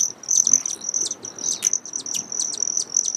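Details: High, level metallic buzz from a broad-tailed hummingbird, nearly continuous, overlaid with quick sharp chips and a few brief rasping bursts.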